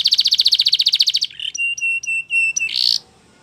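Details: Belgian canary singing a training song for young canaries, opening with a rapid rattling trill of bright notes, then evenly spaced clipped whistles and a final harsh buzzy burst before silence.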